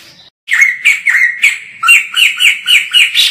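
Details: White-crested laughingthrush recorded from far off, launching into quick, raucous chatter: a brief stutter of notes, then a regular series of about ten harsh, bouncing squawks at nearly four a second.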